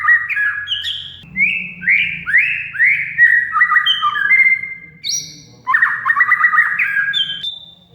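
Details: Kacer lure song for a silent oriental magpie-robin: loud sequence of rising slurred whistles and buzzy notes, a high sharp note, then harsh rapid chatter and a closing whistle, faint hum beneath.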